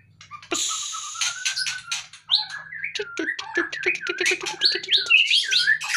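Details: Outside its cage, a white-rumped shama opens with a raspy hiss and a long whistle, then a fast chattering run of mixed clicks and whistled notes over a faint low hum.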